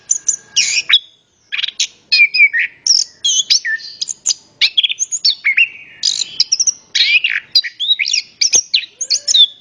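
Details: Orange-headed thrush singing, meant to prompt other birds into song: a dense, restless medley of high whistles, trills and chirps with a short pause near the start and barely any other noise.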